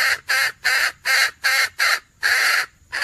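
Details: Red junglefowl hen calling to attract roosters, recorded 17 February 2021: harsh, raspy notes repeated about every third of a second, eight in a row, with faint low rumbling behind.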